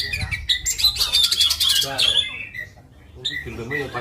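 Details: Oriental magpie-robin (kacer) from Indonesia gives two seconds of dense, high, chattering song with sharp whistles and trills. It then fades to lower, softer sounds that may be a voice, and a few brief whistled notes return near the end.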